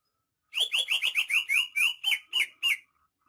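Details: Greater green leafbird, a rare native of Banyuwangi in lively song, gives a clean run of ten loud whistled downslurred notes, evenly spaced and slowing slightly toward the end, over a quiet background.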